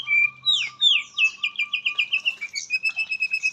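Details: White-rumped shama song: rich falling whistles followed by a rapid run of repeated descending notes, then steady high whistled phrases, with a faint low hum.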